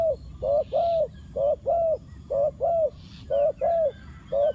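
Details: Decoy spotted dove calling wild doves in: clear, low, rounded coos delivered in pairs and triplets, roughly one note every half second, against faint background hiss and a distant chirp.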